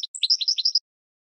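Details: Goldfinch song fragment for training cage birds: under a second of quick, bright, slurred chirps alternating between higher and lower notes, then silence.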